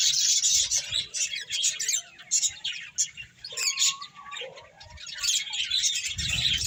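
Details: Several finches feeding and chirping, busy high twitters throughout, with a few lower whistled slides in the middle and a soft low rumble near the end.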